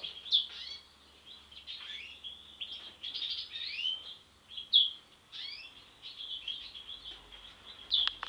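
A European goldfinch sings a continuous, fast tinkling twitter of high liquid chirps and buzzy trills, with sharper bright notes every few seconds.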